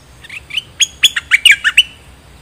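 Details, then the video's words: Decoy bulbul, one of three kept decoy birds, giving a short burst of bright chirped notes, about eight quick rising and falling whistles packed into a second and a half, over faint low background rumble. "รวมเสียงนกดอกแตง Ep.1 นกต่อ"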